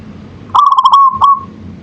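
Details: Singing local zebra dove (perkutut): a rapid series of clipped, bubbling coo notes merging into a smooth sustained trill, closed by one brief note that fades out, over faint low background hum.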